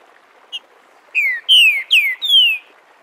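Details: Live recording of a Green-winged saltator singing the "Bom dia seu Chico liso" dialect for tutoring young birds: a brief soft note, then four loud, pure, downward-slurred whistles, the last one longest, with a quiet background.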